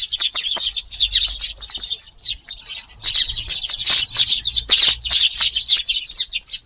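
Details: Early-morning Eurasian tree sparrows at a garden feeding spot, around 5:30 in rainy weather on 2 August: lively, nearly continuous high chirping from several birds, with short gaps between bursts.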